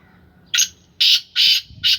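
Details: Harsh, grating call of a kept black francolin of Sindhi lineage: four loud rasping notes spaced about half a second apart in a still setting.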